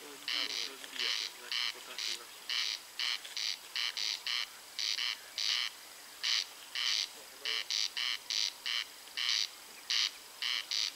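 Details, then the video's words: A pair of corncrakes sings close together on a May night near Spała, their grating double rasps repeating steadily and overlapping into an uneven, rattling rhythm for eleven seconds. "Corncrake singing / Głos Derkaczy"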